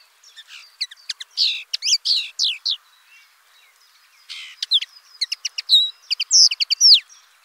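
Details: A common linnet delivers two bursts of quick twittering song: clipped chirps and slurred, slightly nasal notes, with a pause of about a second between the bursts.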